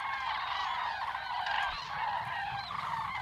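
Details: A dense chorus of migrating common cranes resting at the Yelnya upland marsh stopover, Miory District, Belarus: many loud trumpeting, bugling calls overlapping without pause into a steady clamour.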